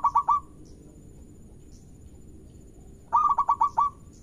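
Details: A local zebra dove (Geopelia striata) gives a quick burst of three rolling, hollow coos, a pause, then a longer run of six to seven low, mellow staccato coos. The song is used as a lure to prompt rival birds to sing.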